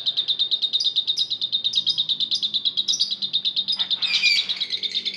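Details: Lovebirds in a group, sound played to provoke other lovebirds to sing: dense, rapid shrill chattering notes repeated about three times a second, rising into a harsher, squealing flurry near the end.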